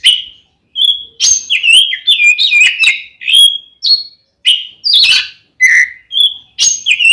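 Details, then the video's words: Oriental magpie-robin giving fighting song to make another male angry: a run of clear whistles and fast chattering phrases mixed with harsh buzzy notes, with short pauses. "SUARA BURUNG kacer gacor NGEPLONG tarung ini AMPUH buat PANCINGAN KACER agar EMOSI"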